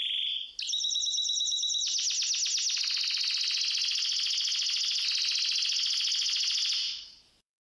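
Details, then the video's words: Spanish Timbrado canary, described as wild, pours out an intense continuous song of fast buzzy trills and layered rolling notes that runs unbroken for about six seconds before fading. "Wild Spanish Timbrado Canarie singing"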